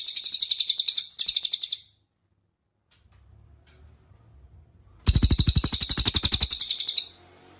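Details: Cililin master song intended to get magpie-robins, green leafbirds and kacer singing: rapid high trills of clear repeated pips, a silent pause with faint background hum, then a long, loud two-second trill.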